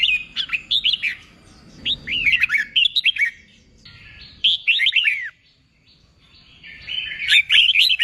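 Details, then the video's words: Red-whiskered bulbul song used to stimulate newly wild-caught birds to sing for singing contests: bright, warbled phrases of quick rising-falling whistled notes in three bursts separated by short pauses, with a faint low background hum. "Kích bổi nghe là hót, luyện chim hót đấu, luyện chào mào bổi sổ giọng"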